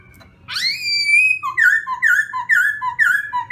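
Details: During morning song training, a black-throated laughingthrush gives one long rising whistle, then alternating high and low clear notes repeated roughly every half second. A soft hum runs beneath.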